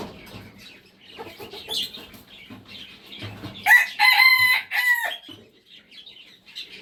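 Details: Red junglefowl crow, one loud harmonic multi-part call about 1.5 seconds long over a background of scattered chirps, clucks and rustling.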